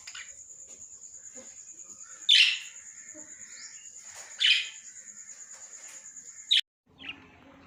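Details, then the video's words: Lovebird uttering three piercing, harsh shrieks spaced about two seconds apart, with faint chattering and a steady high electronic whine behind. "love birds"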